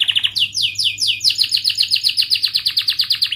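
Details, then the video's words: Canary song meant to teach juveniles: quick low-pitched chips give way to sweeping upslurred notes and a steady rapid trill repeated roughly eight times per second. "Kenari Gacor Cuit cuit Ngerol TAJAM, TERAPI AMPUH Kenari MACET, Pancingan Kenari Paud Belajar Bunyi"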